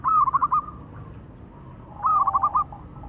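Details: Zebra dove, a local Indonesian bird, male and female answering each other: two quick phrases of five or six bubbly, rolling cooing notes about two seconds apart, with a low background hum.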